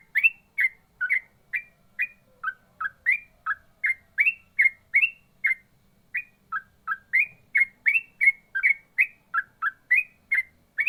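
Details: Ropel-style singing from a yellow-vented bulbul (trucukan): long steady string of crisp, separate chirping notes, some rising and some falling, about two or three per second with one short pause midway.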